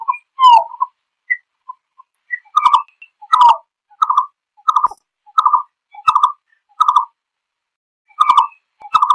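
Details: A green-billed malkoha gives a run of low, hollow clucks, roughly one or two a second, after a few scattered softer and higher notes; described as calling to its flock.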